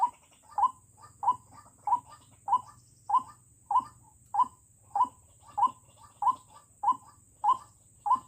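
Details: White-breasted Waterhen decoy for snaring wild waterhens, calling in a very regular rhythm: about thirteen sharp notes, each with a soft trailing note, repeated steadily over a faint continuous high whine.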